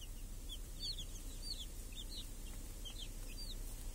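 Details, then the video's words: Small chicks and hens in a village pen under a protective cage on a sunny summer day; bright arched peeps come in quick clusters, overlapping, with a constant low rumble behind. "Chickens and hen in the village | Sounds with chicks on a clear summer day"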